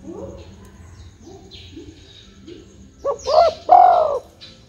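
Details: Spotted dove call played as a lure to get other birds to answer and sing. After a quiet stretch, three loud, hollow coos come in quick succession near the end, the last one longest, with faint chirps in the background.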